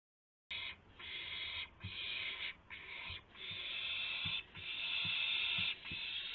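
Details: Owl during a late-night gopher delivery at 12:25 AM, April 7, 2016: a run of harsh, breathy screeches, some short, some nearly two seconds long, with faint low knocks underneath.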